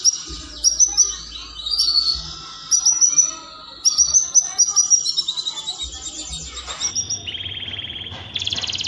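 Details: Canary singing to trigger mating: bright whistled notes and chirps in bursts, ending in fast pulsed trills at two different pitches.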